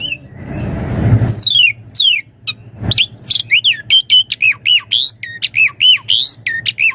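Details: Javan pied starling in full, varied 'isian mompa' song used as a training master and lure, opening with a rough low rush, then rapid repeated sharp looping whistles and squawky chatter.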